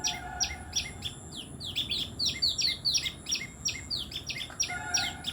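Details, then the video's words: Tailorbird chirping busily: dense sequences of sharp, high chips and quick down-slurred notes, overlapping and rapid, continuing throughout with little pause, over a quiet low background. "Orthotomus( tailor birds) : enjoy the sweet chirping sound of these birds"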